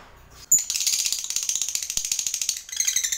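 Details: Lovebird in full voice, calling toward a rival: after a faint start, a sudden long, rapid, ratchet-like chatter of dense high buzzy pulses runs for over two seconds, then resumes briefly.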